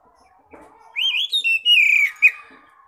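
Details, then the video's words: Oriental magpie-robin song played as a lure to draw other magpie-robins: one loud clear whistled phrase, rising then sliding slowly downward with a brief high flourish at the end, quiet low notes before it. "pancingan Kacer bikin gacor"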